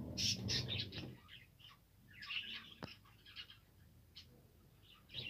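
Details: Australian parrots, kept as birds, recorded December 2, 2022: bursts of short, high chirps and twitters in quick succession, several overlapping, with a low rumble and noise in the first second and a brief click near the middle.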